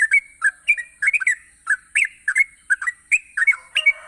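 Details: Vigorously singing yellow-vented bulbul, played to stir idle bulbuls into singing: a continuous run of quick, gurgling, slurred notes, each phrase sliding up or down, nearly unbroken, with a faint constant high-pitched hiss behind.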